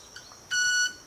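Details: Club-winged manakin of South America making its violin-like wing sound by rubbing wing feathers together in courtship display to attract females; a single pure, ringing buzzy tone with bright overtones lasting under half a second.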